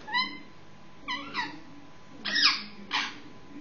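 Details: Six-month-old Indian ringneck parakeet making noise before sleep: a few short harmonic squawks, then two harsher, louder screechy calls, over low room hum.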